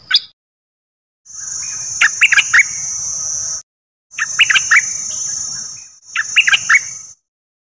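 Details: Dok Taeng bird song meant to train young birds and make birds excited: three short bursts of quick chirps and sharp whistled notes separated by silences, each with a steady high whine.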